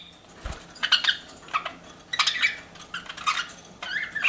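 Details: Pet budgerigars indoors giving scattered short chirps and brief warbled notes in separate bursts, with quiet gaps and a faint low hum between calls.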